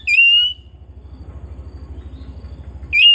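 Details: Oriental magpie-robin kept at home gives two sharp, bright whistles, one at the start and one at the end, with a quiet gap of over two seconds filled by a low steady hum.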